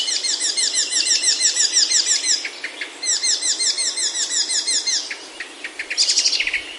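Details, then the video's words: Birdsong in Himalayan oak woods, Himachal, India. A loud, fast series of sharp downslurred notes repeats about three per second in two long runs. A brief pause separates them, and high twittering follows. "Himalayan Oaks Alive with Birdsong Near Home"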